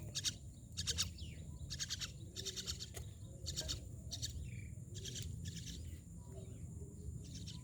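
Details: Myna making scattered grating chatter bursts, harsh and pulsed, spaced irregularly, with a softer whistled note between some, over steady low-pitched background rumble.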